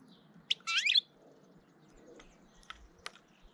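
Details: European goldfinch filmed in early April, trying to intimidate another goldfinch: one brief, bright twittering chirp burst at the start, then a few faint clicks over quiet background.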